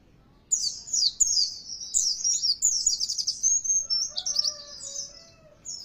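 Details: Oriental white-eye lure song to rouse kept birds into vigorous singing: a dense, high chattering warble of rapid falling chirps lasting about four seconds, with faint lower whistled notes beneath near the end.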